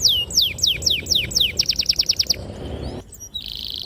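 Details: ['Canary song for training young canaries to sing: a quick series of descending whistled notes speeding into a faster run, followed by a steady high buzzy trill.']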